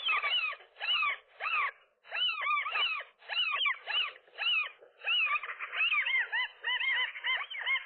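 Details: Two nesting gulls, male and female, fighting a single gull that tried to come between them on a rooftop one April morning; rhythmic loud arched squeals grouped in bursts roughly every half second to a second, faster toward the end.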